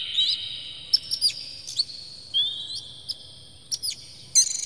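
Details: Oriental magpie-robin, an emotional bird with its tail spread, singing a full, filler-rich song played to provoke other magpie-robins. Here it gives sparse high chirps and a long, drawn-out whistle, with brief pauses between notes.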